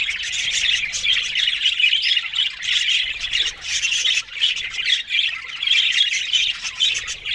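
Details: Budgerigars keep up continuous bright, scratchy chatter: rapid warbles, chirps and squeaky notes layered together, briefly dipping in volume around the middle before resuming.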